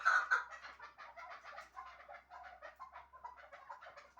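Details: Hunting chukar partridge from Shahritus: a loud sharp note opens, then quick rapid clucks tumble along at an uneven pace, several per second.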